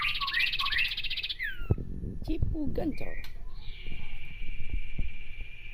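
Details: Common iora chattering harshly to provoke a rival: a fast dense rattle of high notes for over a second, then a brief human voice, followed by a long sustained harsh, even tone.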